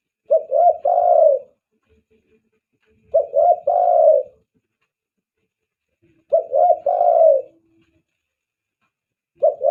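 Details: Spotted dove call played as a lure for doves: regular phrases of two quick notes and a longer, swelling low coo, repeated about every three seconds against silence.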